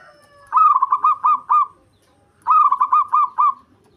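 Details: Breeding-condition local zebra dove used to lure the opposite sex and provoke rivals; two rolling phrases about two seconds apart, each five to six distinct bubbling, throbbing notes.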